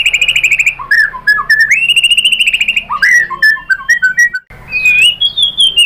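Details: Lure-provoked white-rumped shama singing loudly: long sustained whistles, a run of rapid repeated notes, then varied falling whistled phrases and sharp ticking sounds, ending in a high rising whistle.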